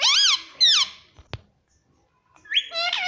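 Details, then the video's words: Talking pet ring-necked parrot indoors: two bright arched harmonic calls in quick succession, a single click, silence, then a rising call that jumps into a wavering harmonic note. "parrot talking"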